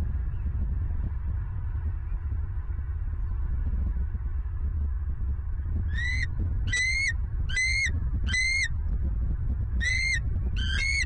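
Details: Bald eagles at a Southwest Florida nest, recorded by a fixed nest camera on the morning of 27 November 2022. After six seconds of low rumbling background, six high, piping calls come in quick succession, some doubled, with bright overtones.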